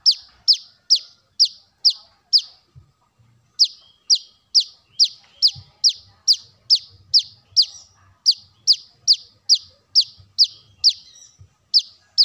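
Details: Lure recording of a brown-throated sunbird: a long run of piercing, downward-slurred chips in quick even succession, broken by one brief pause of about a second, some two dozen notes in all over faint low background sounds.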